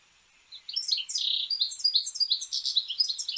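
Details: Rapid twittering song of a European goldfinch, a tumbling stream of bright chirps, short buzzy slurs and high tinkling notes packed closely together after a brief quiet start.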